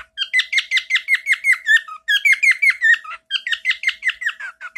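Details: Pet male bird singing a favourite, often-repeated chirp: quick series of sharp falling chirps, roughly three each second, in three short bursts separated by tiny gaps.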